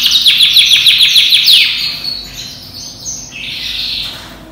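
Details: European-imported canary, about ten months old, banded, in breeding condition and singing all day, with a varied, voice-switching song: a fast run of high descending notes about three per second, then a buzzy sustained trill and softer high phrases.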